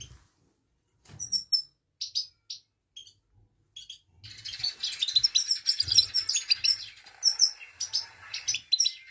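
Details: Female Himalayan goldfinch 'peet peet' call to excite males: scattered short, high chirps at first, then a sustained burst of rapid twittering with thin, high trills.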